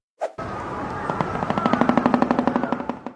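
A shoebill clatters its bill in a fast, hollow, machine-gun-like rattle of sharp knocks that speeds up and grows louder over about two seconds, over a faint steady hum.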